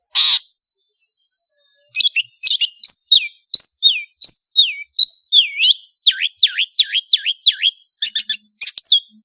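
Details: {'text': 'Cendet, the long-tailed shrike, in lively song: after a short burst of noise and a pause, varied high whistled notes give way to a run of clear down-slurred whistles, ending in sharp quick notes.'}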